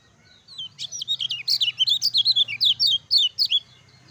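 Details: Lemon-bellied white-eye, energetic ciak ciak jos singing used as a master to make other white-eyes sing; fast chain of high, zigzagging whistled chirps, about fifteen notes packed into three seconds over a low steady hum.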